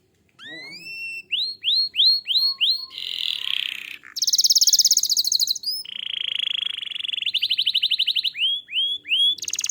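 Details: Canary singing to draw song from other canaries: rising whistled slurs repeated about two per second, loud buzzy rattles, a flat whistled tone, a rapid trill and further rising slurs.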